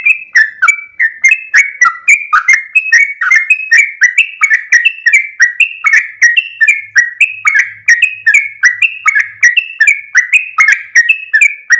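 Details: Sooty-headed bulbul kept for training captive birds, a long rapid 'ropel panjang' master song: dense run of short warbled, bubbling phrases tumbling up and down, repeated almost without pause for the whole stretch, clean background.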